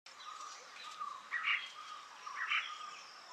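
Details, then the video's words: Red spurfowl (Galloperdix spadicea) giving its typical call, two harsh, rasping karr notes about a second apart, over a steady background of shrilling insects. "Red spurfowl (Galloperdix spadicea) calling - Typical call of red spurfowl"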